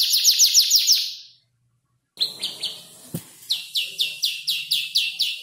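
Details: Five-month-old canary with copied tutor songs sings a quick high trill, pauses, then resumes with a sharp click and evenly spaced sweeping chirps.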